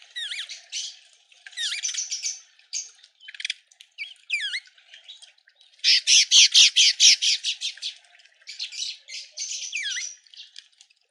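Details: Red-winged starling in a suburban garden in Pretoria, South Africa: bursts of harsh, rasping squawks and chattering notes mixed with short falling whistles, including a loud run of rapid scratchy calls at mid-clip, in otherwise quiet surroundings.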